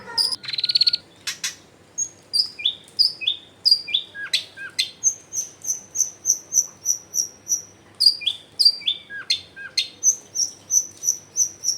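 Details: Long-tailed shrike singing energetically, a lure to make silent shrikes answer and join in, recorded in a dense residential area: sharp downslurred notes, then a long run of high, evenly repeated whistled notes about twice per second.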